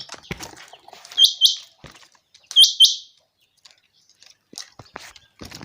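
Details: Chinga quail (batair) calling in sunny, clear weather: two bouts of paired, buzzy, high-pitched notes with sharp clicking tops about 1.4 seconds apart, then a quiet stretch with faint clicks and rustling.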